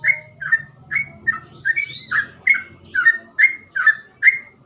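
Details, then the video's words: Sooty-headed bulbul (trucukan) in rapid nonstop gacor ropel song with easy-to-imitate phrasing, meant as a tutor for untrained birds: about ten short bright whistled notes, each dipping or bending, spaced roughly half a second apart, one buzzy higher burst midway, faint low hum beneath. "burung trucukan gacor ropel cengkok mudah di tiru"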